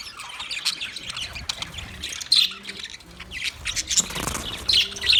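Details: Budgies chattering on 9 March 2024: a continuous high, scratchy warble of chirps and squeaks, with a few sharp louder squawks and soft low tonal lines in the background.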